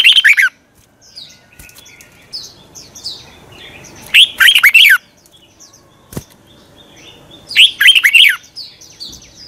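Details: Red-whiskered bulbul morning song used as a decoy to provoke singing. Three short bursts of twisting whistled notes come about four seconds apart, with faint chirps and a sharp click between them.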